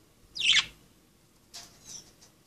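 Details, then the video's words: One loud, harsh squawk from a playing budgerigar, followed by faint, thin chirps. "Pericos australianos jugando"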